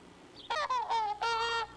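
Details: Trumpeter swan contact calls, used by parents to keep the family together: three loud, nasal, horn-like honks, the first two short and the last longer, each richly harmonic and slightly falling in pitch, over quiet background.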